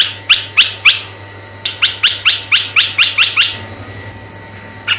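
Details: Red-eyed bulbul calling as a lure for male and female bulbuls, with three quick chirps, a brief pause, then a long even run of about eight bubbly notes. A single note closes the sequence over a steady hum.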